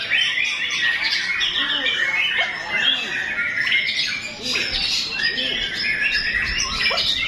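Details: White-rumped shama (murai batu) in full song: dense, rapid run of varied chattering and whistled phrases, mostly high and bright, unbroken for the whole stretch with a brief dip midway.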